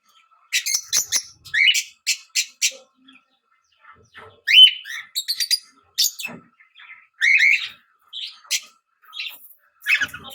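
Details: Fischer's lovebird giving shrill, rapid chirps and squeaky notes in irregular clusters separated by short pauses, some calls rising and falling sharply.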